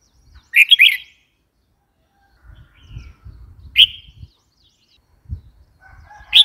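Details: Red-whiskered bulbul calling: short bright warbled phrases of three or four notes, spaced a few seconds apart, with faint low background rumble between them.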